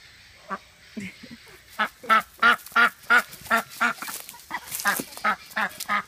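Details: Rose, a female Welsh Harlequin duck, quacks loudly and harshly in a steady series, about three per second, calling for her friends as she runs back to them; softer quacks from other ducks answer in between.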